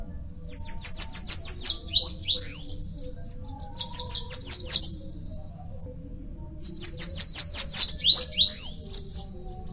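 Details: Bananaquit singing three repeated phrases, each a fast stutter of high, thin buzzy notes followed by rising and falling squeaky whistles, separated by short pauses.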